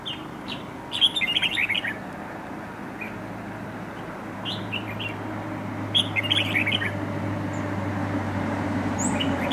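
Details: Wild-caught red-whiskered bulbul with a dark bib, serving as a fighting decoy in a trap. Two bursts of bubbly warbled notes about five seconds apart, with scattered single chirps between them and a steady low hum.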